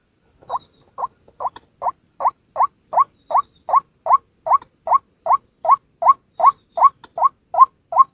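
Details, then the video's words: Lure call of one white-breasted waterhen, clean and isolated: a steady series of short, nasal, rising kwak notes, about two to three per second, evenly spaced against a silent background. "SUARA PIKAT BURUNG RUAK RUAK TUNGGAL"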